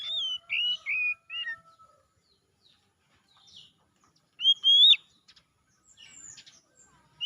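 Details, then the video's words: Oriental magpie-robin singing: a run of clear whistled notes, some slurred up and down, then a pause and a loud rising whistled phrase, with scattered thin high chips between. The background is quiet. "KICAUAN PEMULIHAN KACER MACET CEPAT GACOR"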